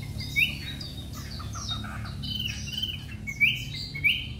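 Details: Three-month-old caged Chinese hwamei in Hanoi, Vietnam, recorded unedited right after arriving and before bathing, singing persistently: sparse clear whistled notes, a few sharp upslurred whistles standing out, over a steady low hum.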